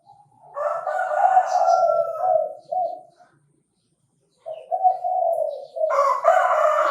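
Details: A Chinese francolin crows in Bình Thuận, Vietnam, in a bird-trapping setting. A loud grating phrase is followed by a pause of nearly two seconds, then lower chattering notes rise into another harsh burst.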